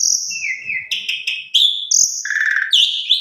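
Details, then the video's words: Javan pied starling song used to draw other birds into song: long high whistles alternating with lower buzzy, pulsing phrases and gliding slurred notes. "Pancingan Suara Burung Jalak Suren MATERI Full Isian KOMPLIT Bisa Bikin Jalak Suren Lain Ikut Gacor"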